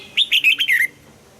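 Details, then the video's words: One brisk phrase from a red-whiskered bulbul trained for morning song in the 'âm kép già rừng' double-note style: five rippling whistled notes, rising at first and ending in a downward slur. "Luyện giọng cho chào mào hót sáng, ép chào mào hót âm kép già rừng hay tuyệt!"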